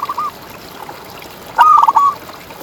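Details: Local contest-champion zebra dove singing in ngalas style, used to tutor and stir quiet doves: a faint brief coo opens, then after a pause one loud stuttering cooing phrase with rapid broken notes, over light background hiss.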